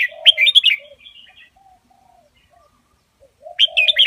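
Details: Red-whiskered bulbul singing an Indonesian double-style master song meant for teaching young birds: a lively burst of liquid, bubbling notes, then soft low murmured notes, then another bright warbled phrase.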